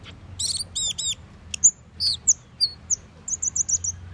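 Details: Asian glossy starling uttering a quick series of very high, sharp chevron-shaped whistles, first grouped in a rapid trill-like burst, then spaced single piercing notes, with faint low hum behind.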